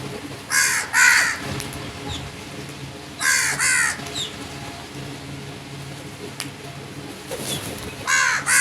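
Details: Harsh crow caws delivered in doubled bursts, two rasping calls close together, repeated three times across the recording, with faint thin chirps of other birds between them.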